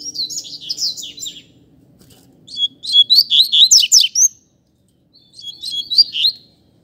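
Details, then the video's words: Double-collared seedeater in a singing duel between two birds. Three bursts of quick, high, sharply slurred notes are separated by short silences, and the middle phrase is the longest and loudest. "Coleiro Disputa de Canto"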